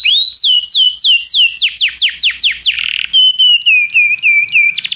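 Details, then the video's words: Belgian canary singing to stimulate other canaries: falling whistled notes repeated about four per second, a short trill, then level whistled notes with quick downward hooks. "canário especial para seduzir todos os canários - canário belga cantando"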